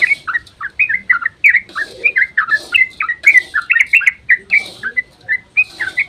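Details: Dawn ropel song of yellow-vented bulbul, a lure to make other bulbuls respond; lively chain of bright chirps and short warbles, dense early on, slightly more spaced toward the end.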